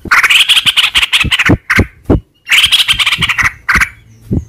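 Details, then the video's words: Yellow-vented bulbul (trucukan) in the long rapid "ropel panjang" style, used as a lure to make other birds answer; loud, fast, chattering runs of bubbly notes, two long bursts with a few sharp clicks between. "trucukan gacor ROPEL PANJANG buat pancingan trucukan agar bunyi jadikan burung trucuk gacor NYAUT"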